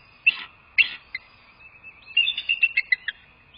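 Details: Bald eagle calling at the nest on a live nest camera, 2 February 2024, 07:19; two sharp high yelps, a pause, then a quick descending run of thin staccato piping notes, with a constant faint whine behind.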